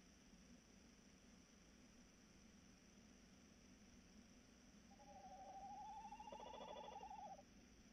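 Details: After about five seconds of quiet low hum, a tawny owl delivers a sustained, vibrating hoot of roughly two and a half seconds, slightly rising then level. Recorded 3 March 2018, evening, about 21:14.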